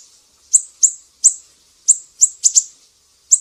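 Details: Sumatran mangrove whistler, piercing 'besetan' master song for teaching songbirds: separate very high, sharp chips with trailing tails, irregularly spaced, including a quick double note.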